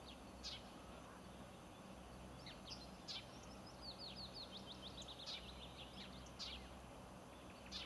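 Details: Bluethroat (Luscinia svecica), song.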